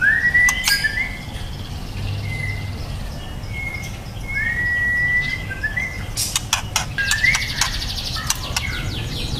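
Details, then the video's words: Young white-rumped shama singing sparse phrases: short rising whistles and brief level notes scattered over several seconds, interspersed with crisp clicks and snaps, over a low steady background hum. "Murai batu trotol prospek"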